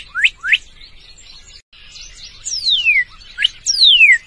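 Northern cardinal song: two quick rising chips, then long clear whistles sliding down from high to low, over faint background chatter of other birds.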